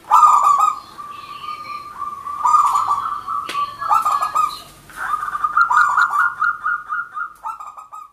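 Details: Local wild-type zebra dove in vigorous song, delivering a near-continuous series of rolling, pulsed coos that swell and ebb, with a sharp click midway and a final trilling run that gradually fades.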